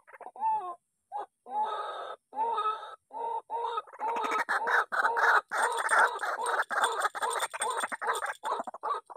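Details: Wild White-breasted waterhen stirred up by decoy playback. It gives hoarse, nasal croaks, at first spaced with pauses, then a dense, rapid run of repeated grunting notes that swell in volume.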